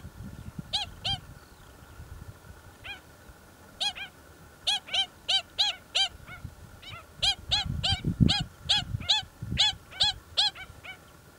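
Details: Pied stilts from a native colony nesting amid a busy earthworks site on the Hamilton section of the Waikato Expressway, with chicks raised there; sharp yapping harmonic notes in loose bursts, often doubled, with low rumbling site noise beneath.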